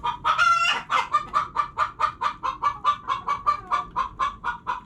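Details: One long squawk from hens opens, then evenly spaced clucks follow about twice per second, each short and throaty, fading and swelling in a steady pulse.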